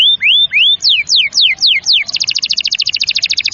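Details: Vigorous canary singing, meant to stimulate young canaries and reluctant singers to sing: a few arched whistles, then steep downward-swooping notes, ending in a very rapid, dense high trill.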